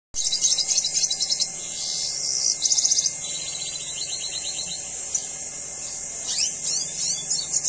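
A red siskin in breeding condition sings a fast, high twittering song of buzzy trills and chattering notes, running almost without pause; no other sounds stand out.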